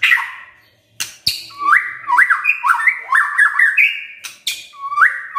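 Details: White-rumped shama in full song, kretekan and tembakan styles: after two sharp bursts comes a rapid string of varied, warbled, upslurred whistled phrases, bright and tumbling, with a final rising note.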